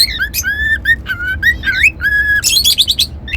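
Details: Pet cockatiel whistling: a run of clear whistled notes, some flat and held, others rising, slurring or stepping, broken by short sharp chirps and a bright, rapid, trilling burst near the end.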